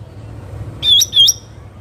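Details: Bulbul outdoors giving one brief pair of loud whistled notes that dip and then flick upward, the second ending in a short thin tail, against steady low background noise.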